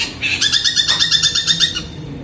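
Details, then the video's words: Long-tailed shrike heard at night, compared to a kuntilanak ghost's voice, giving one fast, dry chattering trill lasting about a second and a half. "Malam malam ternyata Cendet ini suara kuntilanak"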